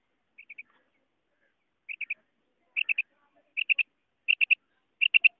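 A female quail gives six bursts of three short, high, clipped notes, about one burst per second, against a quiet background.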